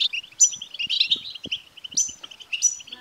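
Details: Short burst of goldfinch twittering used to stimulate a caged male goldfinch: tinkling high notes opening two phrases, followed by rapid descending chatter of liquid chirps, with faint low taps.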